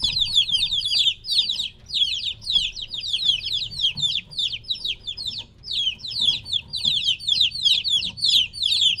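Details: Three-week-old chicks separated from their mother, calling noisily: dense, continuous high peeps sliding downward, many birds overlapping in rapid bursts with brief lulls, faint low rumble beneath.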